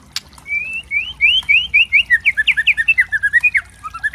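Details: Loud kretekan variation of a trotol white-rumped shama, a lure recording to rouse other birds: after a sharp click, a fast run of slurred whistles quickening and descending into clipped chattering notes.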